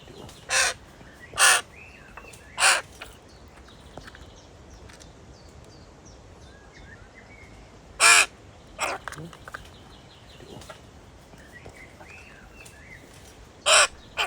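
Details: A weak, orphaned baby crow that fell from its nest, apparently getting hungry, gives harsh, broadband caws in short bursts, about six over fourteen seconds, with faint chirps from other birds between.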